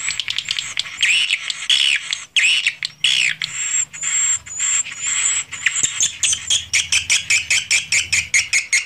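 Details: Swiftlets recorded in a swiftlet house, unedited: bursts of harsh buzzy twittering broken by brief pauses, with thin high whistled tones, ending in a rapid, evenly spaced run of short clicking chirps.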